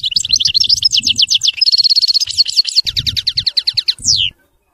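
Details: European goldfinch singing in the Widani style: a continuous, high, tinkling twitter of fast repeated notes and short trills, closing with one clear downslurred whistle.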